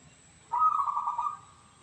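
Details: Single song phrase from a local zebra dove praised for a crystal voice: a clear, rapidly trilled coo lasting nearly a second, steady in pitch, against low background hum.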